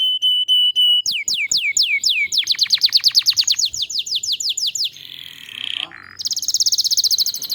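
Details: Canary song played to encourage other canaries to sing: a steady held whistle, loud falling whistled notes, a long run of quick repeated downward chirps, then a softer buzzy note and a high fast trill.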